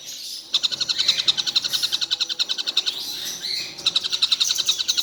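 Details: Collared kingfisher, said to call all day: after a half-second lull, a burst of fast, sharp, high notes follows, pauses near three seconds, and resumes in a second quick series.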